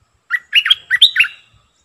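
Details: A Streak-eared bulbul, a decoy bird, delivers a single quick run of five cheerful, bubbly, up-and-down notes with faint low knocks behind.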